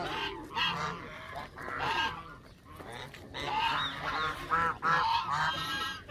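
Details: A group of Canada geese honking loudly and often, nasal calls tumbling over one another with brief quieter pauses.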